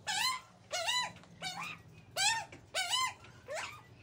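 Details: A group of baby Australian magpies, close-up, give six harsh, nasal begging squawks while being fed by their mother, each rising then falling, about one every two-thirds of a second, over a faint low hum.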